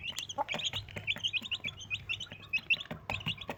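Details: Brisk, high chick peeps from four Desi baby chicks with their mother, about 100 notes a minute in irregular sequence, with occasional tapping clicks.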